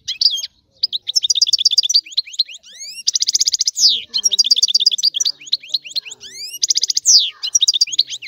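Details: Sicilian European goldfinch singing a rare old-style song, used to stimulate other goldfinches: fast liquid twittering with rapid buzzy trills and high rising whistled notes, a nearly continuous run of bright phrases with barely any pauses.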